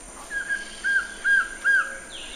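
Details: Collared trogon singing a slow run of four mellow, downslurred notes at even spacing, louder toward the end. Another bird's higher note sounds briefly at the close.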